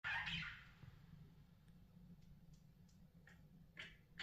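A budgerigar gives a harsh, scratchy squawk, followed by a few short chirps.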